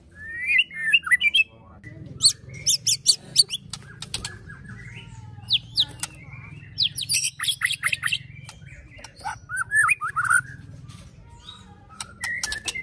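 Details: Varied song of a white-rumped shama ('pastol fighter' murai batu): scratchy rising whistles, bursts of clicking notes and harsh gurgling phrases in irregular groups, with a low hum underneath.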